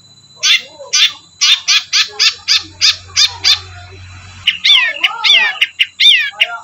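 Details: Long-tailed Shrike (Lanius schach) singing in a quiet village setting: a run of about nine harsh, scratchy notes at a quick steady pace, then rasping, warbled and squeaky phrases, with a faint low hum briefly underneath.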